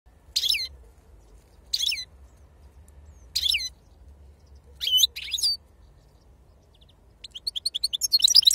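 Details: European goldfinch, a pure wild-type (khalawi) bird singing in the serfati song style: short high twittering phrases with jingling notes, repeated about every one and a half seconds, ending in a fast run of bright metallic notes.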